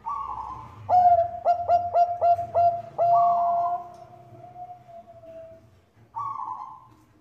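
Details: Bangkok-type zebra dove singing to lure other doves to sing, as a female calling the male: a stuttering run of about six short cooing notes, then one long sustained mellow note that slowly fades, with soft breathy hissing between phrases.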